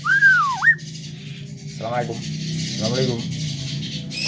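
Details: Male Javan myna said to be able to talk, giving a swooping whistle that dips and rises again, then two rasping, ripply harmonic notes over steady background hum.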